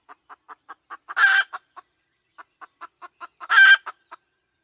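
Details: Hen clucking in a quick, steady series of short notes about five per second, broken twice by a loud, harsh drawn-out squawk, after which the clucking resumes.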